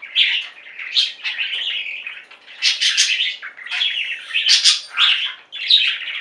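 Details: A captive flock of budgerigars singing and chirping indoors: dense, continuous warbling chatter with scratchy chirps and short bright notes overlapping, rising and falling in bursts every second or so.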